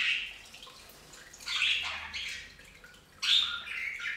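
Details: Budgies bathing on a bird fountain utter a few softer chirping, warbled phrases spaced by pauses, with faint background hum.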